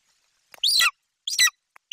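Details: Golden eagle young at a Bucovina nest on July 28, 2021, excitedly calling over prey delivered by its mother; two harsh, high, descending screeches with a faint click and the start of a third call.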